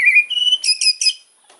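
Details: White-rumped shama's hard fighter-style song meant to provoke rivals: a quick run of whistled notes stepping upward, ending in three loud, harsh buzzy bursts.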